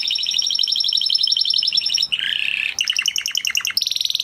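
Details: Spanish Timbrado canary song with a long fast high rattling trill, a lower gurgling buzz, then clipped chopped trills and a closing high roll.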